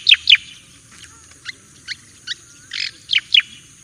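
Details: Javan white-eye master song for training, sparser here: two loud descending chirps, scattered softer notes, a buzzy rasp, then two more bright chirps.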